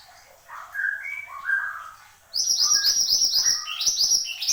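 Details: Horsfield's babbler in vigorous song: soft mid-pitched warbled notes give way to a loud, fast run of sharp high chirps and trills.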